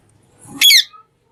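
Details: Talking green parrot making a single short, harsh, high screech after a faint low rustle, then silence.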